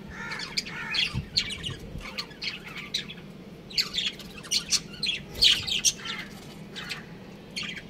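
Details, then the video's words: Budgerigars, a breeding pair kept as pets, give a busy chatter of short bright chirps and squawky warbles, overlapping in bursts over eight seconds with a faint low hum beneath. "Adorable Budgies Chirping Sounds"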